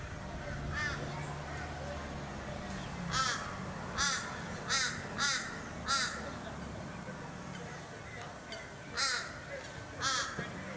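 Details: Australasian swamphen (Porphyrio melanotus), Sunshine Coast, Queensland, September 2022: harsh, nasal screeches in short bursts, about six over ten seconds, over a steady low rumble.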